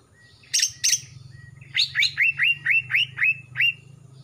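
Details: Kalimantan greater green leafbird, a young male losing mottled plumage and gaining a black throat, singing actively: two harsh buzzy bursts, then eight clear upslurred whistles repeated about every quarter second over a faint low hum.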